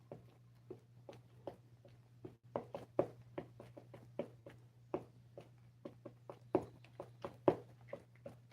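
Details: Irregular soft tapping clicks indoors over a constant low electrical hum, with no animal calls.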